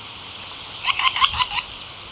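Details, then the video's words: Eurasian three-toed woodpecker (Picoides tridactylus) giving a quick run of about six short, slightly nasal notes in under a second, over a steady background hiss. "Poznávanie vtáčích hlasov - ďubník trojprstý (Eurasian three-toed woodpecker)"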